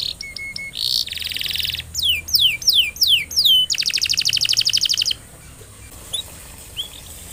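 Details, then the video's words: Singing canary used as a lure to stimulate other canaries to sing: high rapid trills, a run of descending whistled sweeps, then a fast buzzy rattle, fading to a few soft chirps at the end. "Burung kenari gacor,,, paling jitu untuk pancingan kenari supaya bunyi dan cepat gacor"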